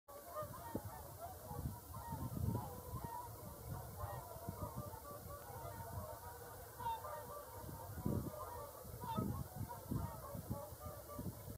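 A flock of whooper swans keeps up a steady chorus of deep, bugling honks, overlapping and rising in bursts every second or two.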